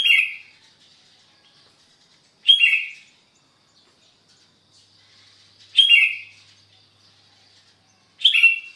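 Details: Sooty-headed bulbul on a Sunday morning in Sukanegeri, East OKU, giving short, bright chirpy phrases about every three seconds, with quiet pauses between.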